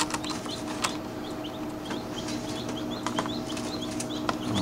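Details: Many chicks in a homemade incubator-hatcher peep together in short, high, chirping notes, several each second, over a steady low mechanical hum with a few soft knocks.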